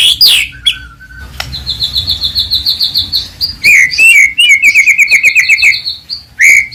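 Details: Medan-type white-rumped shama in full, varied song, used to stir other birds into singing: a loud opening slur, then a long run of quick, evenly repeated high notes, a rapid trill of chips and a final bright whistle.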